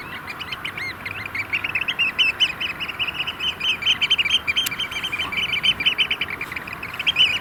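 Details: Courting Eurasian oystercatchers, a flock of about 30, at a Vriezenveen sand extraction lake in cold weather near 5 °C with rain and hail showers; continuous overlapping shrill piping, fast repeated notes swelling toward the end.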